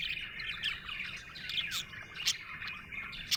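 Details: Short burst of cheerful budgie chirping: quick twittering warble with bright squeaks and several crisp clicks.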